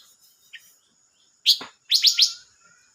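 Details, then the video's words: Silver-eared mesia, recorded 25 May 2022, giving one sharp descending high note, then three quick bright chirps in a rapid series against a quiet background. "chim ngú sắc hót mới nhất"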